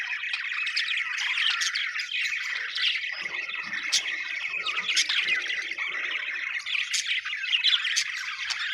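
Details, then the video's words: Continuous cheerful budgie chatter: a thick layer of buzzy warbling and squeaky chirps from several birds, with a few crisp high clicks and a soft, lower murmur in the middle section. "happy budgies chirping sound"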